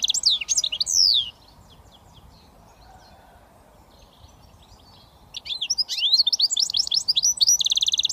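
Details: Goldfinch mule hybrid, a British finch, in switty song: a burst of loud slurred chirps, a quiet pause of several seconds, then renewed rapid twittering ending in a brisk rattling trill.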